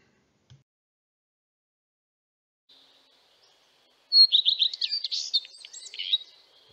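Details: Common redstart song: a faint high note, then a short loud high-pitched phrase, a clear opening note dropping into quick trilled notes and ending in a scratchy twitter.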